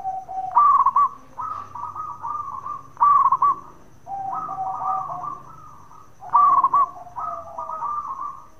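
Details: Zebra dove, a local bird from Indonesia, delivering bekur song to make other doves respond: three rounds of quick rolling trills each followed by long wavering coos.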